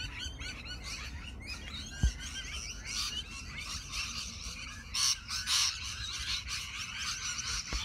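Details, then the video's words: Rainbow lorikeets crowding a tree, recorded on a ZTE Nubia Z7 Max phone: dense overlapping high chirps and screechy notes from many birds, steady chatter with louder bursts near the end and a couple of sharp low knocks. "Chirping tree, Rainbow Lorikeets infested tree"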